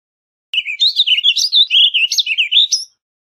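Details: Warbling vireo (Vireo gilvus) singing a crisp, run-on phrase of about two and a half seconds, a chain of quick slurred notes that bounce between lower and higher pitches and end on a sharp upslur.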